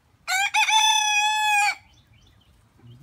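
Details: A single rooster crow with two quick stuttering syllables and then a long sustained, brassy tone lasting over a second, followed by quiet with faint low sounds.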